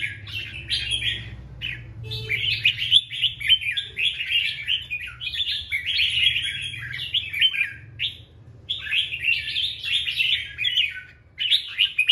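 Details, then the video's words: A male red-whiskered bulbul sings to lure a female, dated 24/1/24, delivering loud, rapid-fire runs of cheery whistles and chirps likened to a machine gun, phrases broken by short gaps, with faint low background hum. "Chào Mào Trống Dụ Mái Hót Choé Như Liên Thanh"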